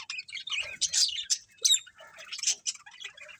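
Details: Several budgies chirp in a lively jumble, with short bright tweets and raspy notes overlapping, rising and falling in loudness through a brief stretch of colony chatter.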